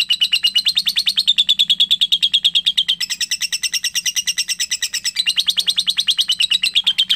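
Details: Long ngekek chatter from a young lovebird, a dense, unbroken stream of rapid, shrill chirps that shifts in pitch a few times but never pauses.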